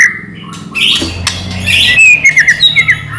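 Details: White-rumped shama lure song meant to make other shamas answer: harsh buzzy notes, a click, then a quick run of descending slurred whistles.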